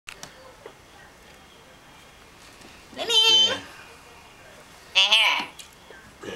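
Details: A pet common myna imitates a person answering a cellphone: two short, high, voice-like 'wei' calls about two seconds apart, with soft room noise between.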